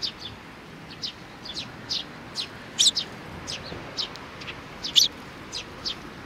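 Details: Several sparrows with little young birds, recorded 27 June 2019: evenly scattered high chirps about every half second, two louder doubled chirps standing out, over a calm background.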